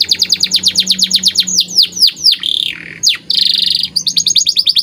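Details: White canary song used as training (masteran) audio: rapid trains of descending chirps repeated about eight per second, then slurred downward whistles, a buzzy trill, and a return to quick repeated notes, with a faint low hum beneath.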